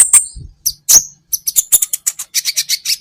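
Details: Olive-backed sunbird (kolibri ninja) on a cage-bird training recording: sharp high whistles, then a steady run of quick, piercing chips repeated about five times per second.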